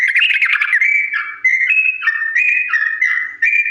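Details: Sooty-headed bulbul delivering slow, long ropel song for imitation training: a fluttering trill gives way to sustained whistled notes that alternate between high and low tones in a steady rhythm.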